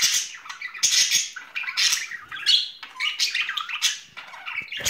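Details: Spring courtship between two pet budgerigars: dense harsh squawking chatter, raspy chirps and clicks running almost without pause.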